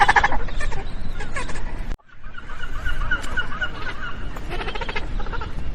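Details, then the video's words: Magellanic penguins in a noisy group: rapid stuttering honks at the start, a brief break, then a sustained wavering bray and further pulsed honks from several birds, with low rumbling throughout. "O Som dos Pinguins"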